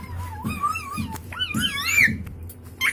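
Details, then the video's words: Pet Indian ringneck parakeet talking in front of a mirror and phone indoors: wavering whistled phrases that rise and fall, with a quick rising squeak near the end and faint low thumps beneath. "indian parrot (roky) talking front of mirror and phone"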